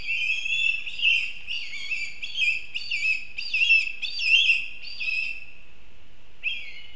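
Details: Black kite calling in Kurzeme, Latvia: a series of high, quavering, wavering whistled notes running together in uneven bursts, then a pause and one short final note.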